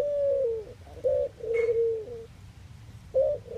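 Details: Close low cooing from a Eurasian collared dove, Netherlands: a long sliding coo, a short note, then another drawn-out coo, with a brief thin chirp from another bird over the middle.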